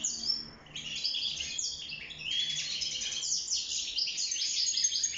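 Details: Caged European goldfinch singing for mating and nest building: a continuous, fast twittering warble of bright chirps and trills, dense and high-pitched throughout with little pause.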